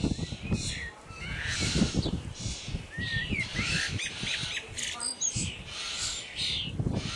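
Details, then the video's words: Common starling chicks at feeding time, a busy mix of hoarse, hissing begging calls and a few quick chirps, over low rumbling and rustling noises. "Starling chicks"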